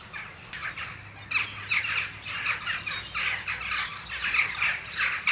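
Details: Western jackdaws on the weather vanes of Ringenberg Castle during a morning visit give a rapid, overlapping chatter of sharp, squawky 'chack' calls, several per second, bright and harsh, as if a small flock is calling together.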